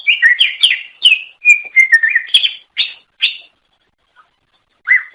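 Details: Cucak ijo, greater green leafbird, a melodious songbird of Java, Sumatra and Kalimantan, singing to attract other birds of its kind; rapid run of varied whistled and chirping notes, then sparse phrases and a pause before a final note.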